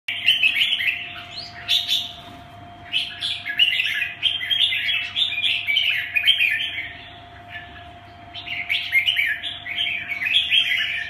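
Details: Red-whiskered bulbul, a kept songbird, singing in rapid runs of bright chattering, warbled phrases with short sharp notes, nearly continuous for about seven seconds, then resuming after a brief pause; a steady low hum runs underneath.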